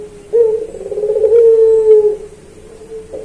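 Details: Puter pelung turtle dove performing for a training recording: a single extended phrase of low hollow coo with fast rolling pulses, ending on a level sustained note, then a soft start of the next coo over a low hum.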